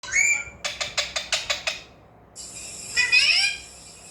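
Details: Alexandrine parakeet learning to talk: a quick run of about seven harsh, evenly spaced squawks, then a pause and a longer rasping, falling screech, with a brief shrill note at the start.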